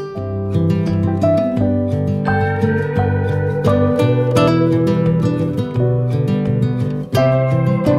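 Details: Loud acoustic guitar music with plucked chords and melody, with no animal sounds.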